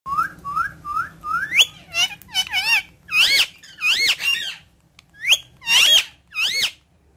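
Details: Talkative parrot giving four short rising squeaky notes, then a run of louder, harsh, wavering chattering bursts with brief gaps between them, over a faint low hum.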